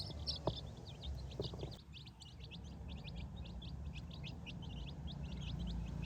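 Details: Baby chicks scratching and searching the grass for food and insects on a farm; a few bumps and a low hum sit under steady rapid, high, thin peeping from many chicks.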